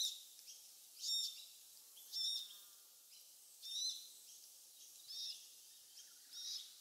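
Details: A family of glossy black cockatoos with a fledgling, feeding in casuarinas close to Bournda Nature Reserve in the Bega Valley on an evening in November 2022; brief rasping calls recur roughly every second, a few fainter calls between.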